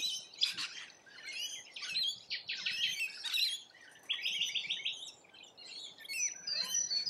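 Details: Rainbow lorikeets at a feed in Australia: loud, rasping screeches and rapid chattering bursts, several birds calling over one another with short pauses.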